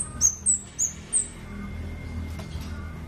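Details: Scarlet-backed flowerpecker singing: four very high, thin, sharp notes in quick succession, about three per second, then silence over a steady low background rumble.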